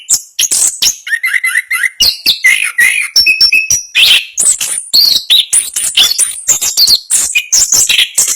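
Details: Champion Orange-headed thrush in fast rolling 'ngerol' song, opening with high chirps, then a held, wavering whistle, followed by dense twittering phrases and sliding notes without break.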